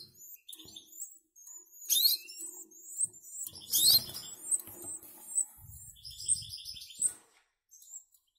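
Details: Goldfinch × canary hybrid young birds in a cage, eating by themselves. Continuous high, thin chirps and short twittering notes tumble over each other, with sharper loud peaks near two and four seconds and soft rustling underneath.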